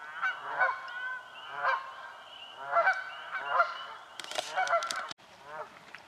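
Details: Canada geese fighting for nesting spots in a swamp give repeated loud nasal honks, interrupted midway by a short burst of broadband splashing or flapping noise, followed by more honking.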